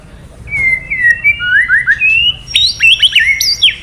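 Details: White-rumped shama male, excited into 'isian' song by kretekan calls: smooth gliding whistles that step downward, then a quick cluster of high, sharply rising and falling whistled notes.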